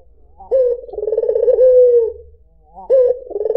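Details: White dove (puter putih) voice used as a lure for other birds: a short rising note opens one long, low, rolling coo that trembles and then slides down, with a second coo starting after a pause.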